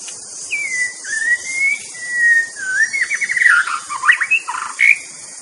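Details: Wild white-rumped shama delivering a long rising whistle, then flat sustained notes and a quick burst of jumbled, warbling phrases, over a constant high insect hum.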